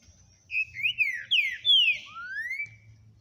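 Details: Green-winged saltator singing on Saturday, 9 April 2022: a rich, melodious whistled phrase of slurred notes that rise and fall, ending in a long upward sweep, over a faint low hum.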